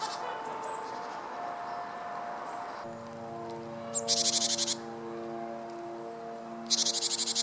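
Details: Japanese tit foraging in park treetops in February, giving two short, buzzy bursts of rapid high notes, each under a second, over steady background music.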